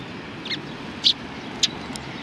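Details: Sparrows at a Tenmangu shrine on 31 March 2020: three short, sharp high chirps spaced irregularly over two seconds, with a steady low background hum.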